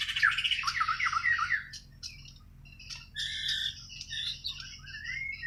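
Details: Natural singing of a white-rumped shama from Borneo (Kalimantan): rich tumbling warbles and chattering phrases slide up and down, fall quiet briefly, then resume in mixed whistled notes, over a low steady hum.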